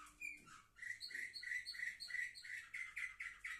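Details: Canaries seven months old, recorded 10 November 2023, delivering a quick rhythmic train of short chirped notes, about three per second, after a brief opening whistle.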